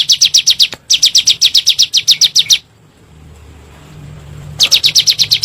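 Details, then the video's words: Bar-winged prinia calling in the 'nembak' style, used as a lure to set caged birds singing: two quick bursts of high, sharp repeated chips, a two-second pause with low hum, then the chipping resumes. "PANCINGAN SUARA BURUNG CIBLEK GUNUNG NEMBAK"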